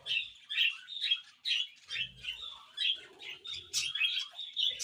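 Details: Two budgies kept as pets chirp in short bursts about once a second. Each burst is a buzzy, squeaky warble, and now and then a sharper high note breaks through. Soft low knocks come in between.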